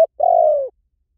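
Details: Spotted dove, recorded for luring: a clipped note followed by one long, even hoot that sags slightly in pitch as it ends.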